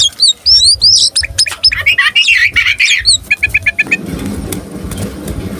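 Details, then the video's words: Oriental magpie-robin, a tame bird singing energetically with tail spread to provoke rival males: looping high whistles and dense chattering, then a run of six short repeated notes, followed by low rumbling background noise. "Kacer gacor jinak buka ekor."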